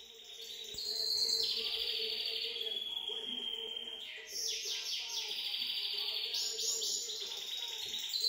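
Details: Goldfinch mule in full song: an unbroken high, bright warble of long sustained whistled notes switching to rapid buzzy rattling trills, phrases shifting in pitch, over a faint low steady hum.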